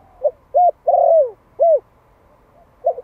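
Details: A Malai spotted dove in Vietnam, a young male one year old, calling to provoke wild doves. Two brief coos lead into a long, slurred, descending coo and one more clipped coo, ending with faint quiet notes.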